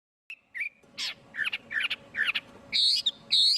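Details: Chinese hwamei singing in a clean recording: short separate phrases of buzzy and whistled notes, a thin opening whistle, then louder slurred bursts, ending with two strong ringing notes.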